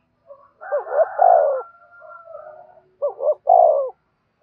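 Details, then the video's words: Spotted dove calling to attract other doves: a wavering coo phrase overlapped by a second bird's higher drawn note, then a clear repeat of the double note and long, falling coo. "cu gáy thúc bổi và gáy gọi cực đỉnh, tiếng chim cu gáy hay và nhạy bổi"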